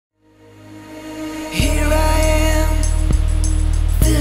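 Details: Pop music swells in from a soft start into a loud, rhythmic, beat-driven song. No animal calls are heard.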